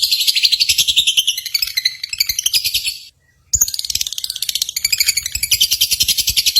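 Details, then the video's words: Competition lovebird chatter, played to excite pet lovebirds: dense, shrill twittering in rapid pulses, one brief pause midway, then more rapid chattering. "SIMULASI BURUNG LOVEBIRD"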